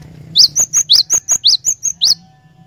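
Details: Cinereous tit song used as a lure to prompt a caged bird to sing: roughly ten quick, high whistled notes in two seconds, sharp upswept notes alternating with flat ones, over a low steady hum.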